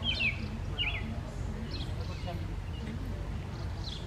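Purple martin giving short, slurred chirps, about four scattered over four seconds, against a steady low rumble of background noise.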